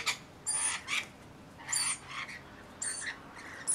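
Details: Rainbow lorikeets, a parrot of Australia, calling while bathing and feeding; harsh, broadband screeching bursts in irregular succession, roughly every half second to a second, with brief quieter gaps between.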